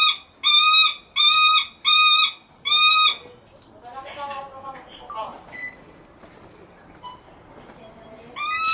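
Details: Captive lanner falcon (Falco biarmicus) at a bird park, calling continually to get its keeper's attention: four loud, harsh, high-pitched calls about half a second apart, then quieter scattered chattering notes.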